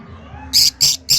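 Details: Lovebirds giving three loud, shrill, harsh chirps in quick succession, each short burst sharp and high-pitched, over a faint background hum.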